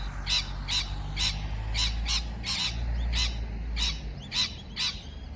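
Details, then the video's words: Parrot uttering evenly spaced, rough chirps, roughly two per second, against a steady low hum. "美丽的鹦鹉鸣叫beautiful parrot chirping sound call"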